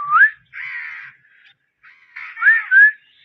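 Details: Captive Indian ringneck parakeet mixing clear rising whistled notes with harsh buzzy squawks, starting and ending with bright upward-sliding whistles.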